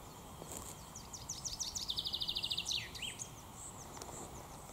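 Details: Chaffinch song during the breeding season in the Raaderwald forest, 2022: a quick descending series of bright notes speeding into a rattling trill, ending in a flourish, over steady background hiss.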